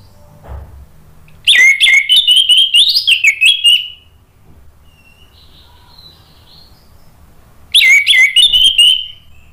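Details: Orange-headed thrush song used as a lure to prompt other birds to reply and sing freely: two loud bursts of rapid, varied whistled and scratchy notes with slurred trills, separated by a quiet gap with faint distant whistles.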